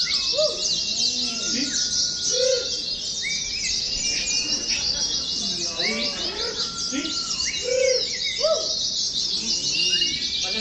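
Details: A continuous, high, rapid twittering chatter from an Oriental white-eye in a contest-style training recording, laced with clear whistled notes and lower warbles from other birds.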